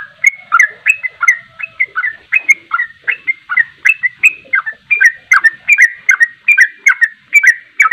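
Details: Sooty-headed bulbul ropelan, a rapid nonstop song used as a lure to make other birds sing along. Short bubbly whistled notes, each dipping and rising, tumble out about twice a second in an unbroken stream.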